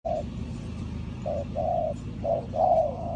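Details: Spotted dove from Ninh Thuận, Vietnam, recorded in a bird-trapping setting: a short series of low, hollow coo notes, the last one longer and slightly wavering, over steady low rumbling background noise.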